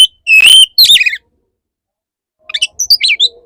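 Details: Courting male Oriental magpie-robin addressing an agitated female: a bright wavering whistle and a descending slur, then after a pause a quick cluster of twittering, jumpy notes.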